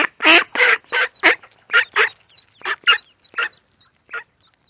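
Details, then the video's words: Ducks on a pond with ducklings, loud raspy quacks tumbling fast at first then thinning out, while small high peeping notes, likely ducklings, dot the gaps. "Duck Sound duckling in the pond -duck quack"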